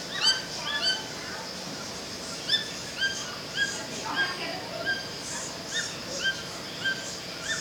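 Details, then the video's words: Toucan pair singing in forest at Manaus, Amazonas: loud, clear yelped notes in irregular bursts, some doubled, spaced about half a second to a second apart, against a dense hissing backdrop of forest insects. "Casal de tucanos cantando"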